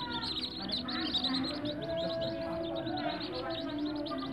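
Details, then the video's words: Whistling duck ducklings raised in captivity, a brood giving continuous high, thin peeps in quick overlapping bursts, with a low droning background and faint voice-like tones underneath. "anakan belibis pagdurusa(wistling duck)"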